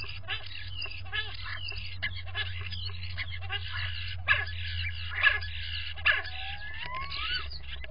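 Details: Starlings in a nest box before bedtime, chattering continuously with squeaky, scratchy notes and clicks, a few sharp accents, and a long rising whistle near the end, all over a constant low electrical hum.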